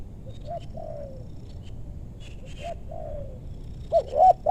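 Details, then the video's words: Spotted dove coos in a meranti forest, West Bogor, Indonesia, during luring of wild doves: soft distant hoot-and-coo phrases, then a louder nearby bird with quick rising notes at the end. "Pikat tekukur ajaran si bucil paksa turun bl suara besar tapi sayang..?"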